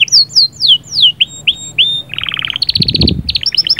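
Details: Canary song aimed at readying the female: repeated falling whistles, rising upslurred notes, then short bursts of fast trilled chips, with a soft thump in the background.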